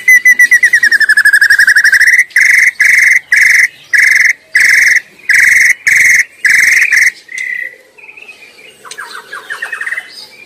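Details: Free-living white-rumped shama in full song: a steady rapid trill followed by evenly spaced, flat buzzy notes repeated about twice a second, then quieter rising notes and faint twitters.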